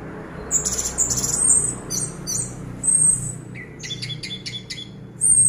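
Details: Orange-headed thrush in a cage, still singing steadily in 'teler' style while the cage is shaken: a long high whistle, clipped chirps and a rapid burst of repeated sharp notes near the end, with a faint low background hum.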